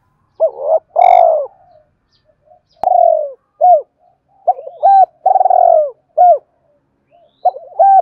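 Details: Spotted dove fighting call used to provoke freshly trapped birds into cooing: a series of hoarse, rolling coos mixed with short clipped, rising-falling notes in irregular bursts, roughly one phrase every two to three seconds, over a quiet background.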